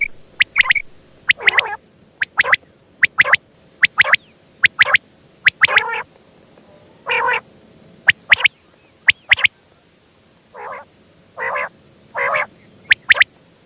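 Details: Female quail calling: bursts of sharp paired high clicks alternate with rasping, buzzy nasal notes. Toward the end the notes come as a slower series of separate wavering calls.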